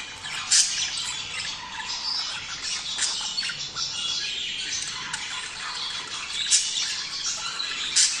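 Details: Budgies vocalising to prompt a male and female to mate: steady, dense high twittering and rasping squawks, punctuated by brief sharp clicks near half a second, six and a half and eight seconds.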